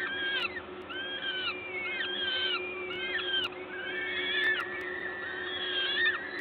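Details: Peregrine falcons at a nest in Gdańsk, Poland, on 14 May 2022 at 11:07, recorded while a parent feeds. Series of arched, whining harmonic calls, several overlapping, about two per second, over a steady low machinery hum.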